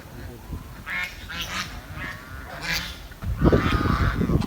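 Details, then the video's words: Village swan giving chirping calls: a series of short, nasal, harmonic notes in quick succession, loudest and most crowded near the end, over steady low rumbling background noise. "The Chirping Sound of The Village Swan"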